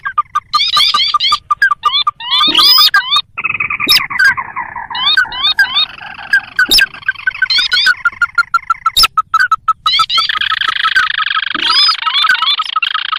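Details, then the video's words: Lure recording of the sintar, a rice-field and marsh bird, used to attract wild birds: quick upslurred whistles in bursts, layered with extended buzzy rattling trills and occasional sharp ticks. "Suara pikat burung sintar"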